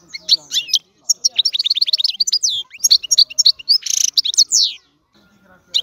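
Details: European goldfinch singing: a lively, varied twitter of quick high chirps, liquid slurred notes and short buzzy bursts in rapid phrases, broken by brief pauses, with a longer gap near the end before the singing resumes.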